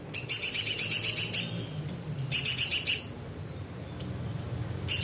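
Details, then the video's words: Kolibri (sunbird) song said to be filled with spiderhunter phrases: bursts of rapid, high buzzy trilled notes, each about a second long, separated by short pauses and repeated several times. "konin isian pijantung"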